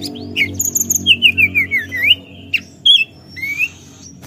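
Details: Forktail calling to provoke rivals: a string of sharp, rising and falling whistled notes at a steady pace, then isolated clear whistles and a short upslurred note, over a faint low hum.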